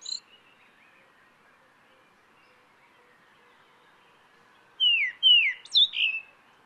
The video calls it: Kurrichane Thrush (Turdus libonyana) Bird Call